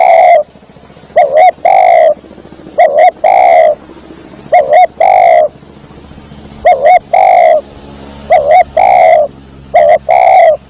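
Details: Spotted dove call used as a hunting lure to draw birds in: short mellow coos in pairs or triplets, each burst of two or three notes followed by a pause of about a second or more, strong and clear over near silence.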